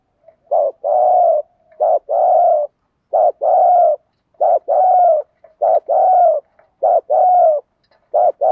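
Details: Spotted dove used as a decoy to lure wild birds, cooing in the 'thúc gù' style. It repeats a paired phrase, a quick wavering note then a longer steady hoot, about seven times, roughly every 1.3 seconds.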